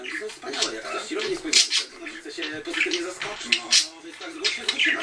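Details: Two pet budgerigars, somewhat wary of the camera, chatter in quick, scratchy bursts of high warbles and clicks over a faint low murmur.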